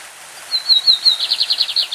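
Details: A Brazilian lined seedeater, a champion bird, delivers its classic song: a few clear piping notes followed by a bright trill of quick repeated notes, with a stream hissing softly behind.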